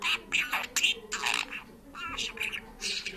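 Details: Parrot known for Georgian speech and singing, giving choppy word-like phrases with a few tonal, wavering notes mid-sequence.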